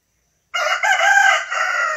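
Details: Rooster crowing: after half a second of silence, one drawn-out harmonic crow lasting about a second and a half, breaking into a few joined segments before trailing off.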